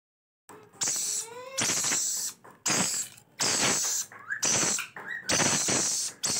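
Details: Rainbow lorikeet chicks begging while being fed: loud, harsh, hissing rasps about a second long, repeated with short pauses, with a few thin rising squeaks slipped between the bursts.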